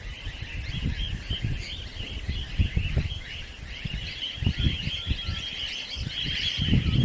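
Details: Wild cockatiels in Australia give a steady stream of chirpy, warbling calls over wind rumble.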